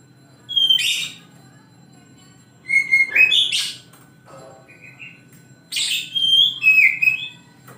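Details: Oriental magpie-robin morning song in three separate bursts of mixed whistles and harsh scratchy notes, with quiet gaps between.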